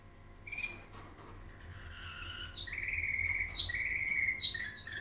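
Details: A Belgian canary (Serinus canaria domestica) trained in nightingale-style song, recorded 20 March 2017, sings clear sustained whistles and quick bright notes.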